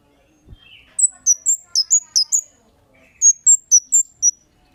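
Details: Kemade chirping used as a lure to provoke other birds to respond; after a soft low tap, two rapid runs of piercing, high, falling 'cit' notes, about six or seven chirps each, with a short gap between runs.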